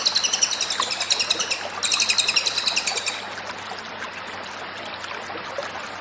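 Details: Cililin master song: shrill, fast-pulsed trill for about three seconds with a short pause near one and a half seconds, then the bird falls silent, leaving low ambient noise.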